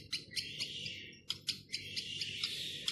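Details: Newborn and four-day-old Boat-billed heron chicks at a zoo during a routine check give high, thin, buzzy peeps in a steady chatter, with sharper chirps every quarter to half second, over a faint low rumble.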